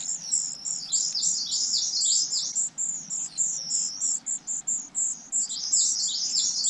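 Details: Nestlings waiting for their parents to bring food: rapid, very high, thin chirps tumbling over one another almost continuously, several voices overlapping in a dense shrill chorus with brief gaps.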